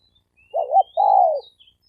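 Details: Male spotted dove cooing in a fighting challenge. A double-humped note is followed by a long, gently falling coo. Thin high whistles of another bird sound faintly behind it.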